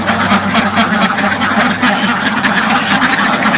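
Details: Dozens of ducks in a village farm pen, recorded right in front of the pen, quack together in a loud, continuous chorus of rough, nasal calls, about three or four per second, over a steady high background hiss.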